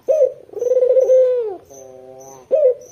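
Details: One long rolling coo from a white, red-eyed Barbary dove used as a lure for local doves, throaty and pulsing before dipping down, then a soft flat tail and the sharp start of the next call, with faint high ticks.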